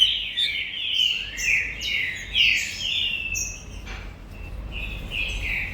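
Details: Captive-bred green-winged saltator singing loud, rich whistled phrases with rising and falling slurs, repeated at an irregular pace, with a brief noisy click midway.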